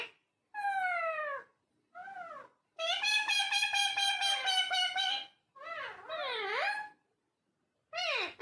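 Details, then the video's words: Parrot talking in a small room: sloping whistled phrases, then a long steady buzzy harmonic note lasting about two seconds, followed by wavering speech-like syllables and a final falling note. "Talking Parrot"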